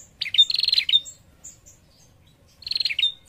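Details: A female prinia calls to lure a male, giving two bursts of rapid, high, buzzy trilled notes, each under a second, separated by a pause, over a faint low background rumble.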